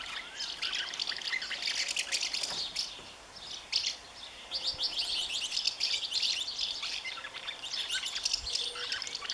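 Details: Common house martin defending its nest, even against its partner, on 20 May 2015: bright, scratchy twittering in quick chattering bursts, with a brief pause near the middle before the chatter resumes.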